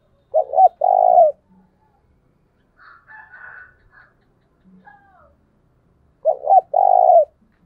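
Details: Spotted dove in 'thúc bổi' fighting-call style. Hoarse coo phrases open and close the recording, each a short double note and then a longer rolling coo. A fainter, higher scratchy sound and a low brief note fall between them.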